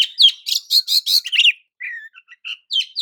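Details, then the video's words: Oriental magpie-robin song meant to rile up other magpie-robins: a quick string of loud harsh chirps, then softer slurred whistles and short separate notes. "JENIS KICAU KACER TERAMPUH JADIKAN KACER AMAPAT LANGSUNG TERPIKAT EMOSI!"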